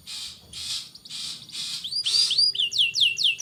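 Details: Canary song meant to stimulate young canaries into full song: four harsh, noisy bursts about half a second apart, then quick sweeping whistled notes falling in pitch.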